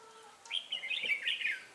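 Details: Red-whiskered bulbul, a lure bird set to trap wild birds at Ba Thá, 18 December 2016; one short loud phrase of rolling, whistled warbles lasting about a second.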